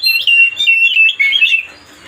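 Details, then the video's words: Oriental magpie-robin song used to goad another bird: a short, rich run of warbled whistles, sliding up and down in quick succession, ending abruptly. "mancing suara kacer biar emosi"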